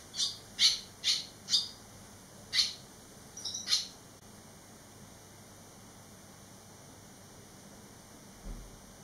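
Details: Three barn swallow fledglings eleven days after leaving the nest: a quick run of sharp high chirps, about two a second, then a few more notes before falling quiet, with one soft low thump late.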